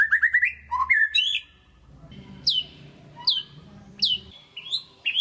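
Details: White-rumped shama, a pet songbird, singing to coax a lazy shama: fast stuttering notes and a low whistle, then after a pause three loud high notes that drop steeply, spaced under a second apart.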